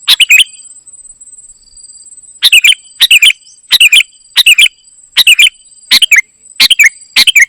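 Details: Ruby-throated bulbul, known as kutilang emas, giving energetic gacor isian song. After a pause, eight or so quick phrases of sharp, dropping chirps repeat at a brisk, fairly even pace, with a faint continuous high tone behind.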